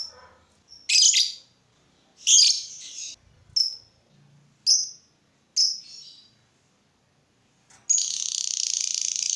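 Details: Lovebird calling to provoke other lovebirds into singing: harsh, buzzy high chirps in short bursts roughly every second or so, ending in a longer sustained rasping trill.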